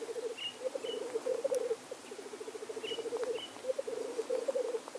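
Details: Black grouse males displaying at the lek: a continuous low, dove-like bubbling, rolling in rapid pulsed phrases that rise and fall in strength, with short higher hissing notes over the top.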